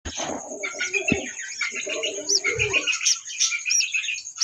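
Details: Budgerigars in a breeding colony in Bankura, India chatter in dense, overlapping chirps and warbles, with low cooing pigeon sounds beneath.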